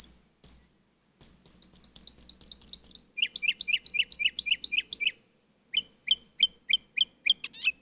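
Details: Nightingale singing: bright, high phrases of rapidly repeated notes, first clipped rising chirps, then a fast series of sharp downslurred notes, then spaced whistled notes ending in a quick flourish, with brief pauses between phrases.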